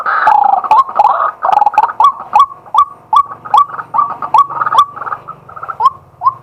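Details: Daytime calling of a male White-breasted waterhen, recorded live on a set-up camera: rapid run of short, rising, nasal 'kwak' notes, roughly two to three per second, over a faint low hum.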